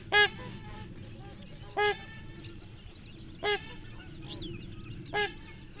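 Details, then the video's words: Trumpeter swans in Minnesota, taking off from water by pattering along it and then calling in flight, give loud brassy horn-like honks about every 1.7 seconds, with faint higher whistled calls from other birds between. "Trumpeter Swan Calls"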